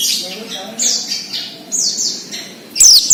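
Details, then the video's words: Oriental white-eye in wild-style 'ngalas' song, used to prompt untrained captive birds: soft, high, downslurred whistled notes about every half second, ending in a louder sharp twittered burst. "PLECI NGALAS UNTUK PANCINGAN BUNYI PLECI BAHAN / OMBYOKAN"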